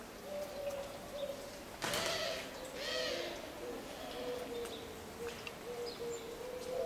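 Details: Eurasian collared dove in Sevilla, Spain, April 2011, gives soft, low, hollow coos in a steady series, with a brief rushing noise partway through.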